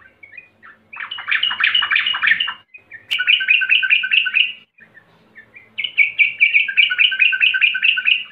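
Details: Sooty-headed bulbul, recorded as a lure track to get birds singing. A harsh, bubbly chatter is followed by two runs of quick, evenly repeated whistled notes, with short quiet gaps and a sharp click between.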